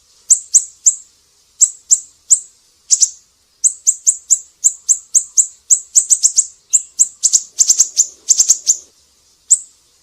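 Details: Siri-siri tutor recording for cage birds such as leafbirds, shamas and magpie-robins: very high chips, single and in quick clusters, speeding into dense bursts near the end, then one final note.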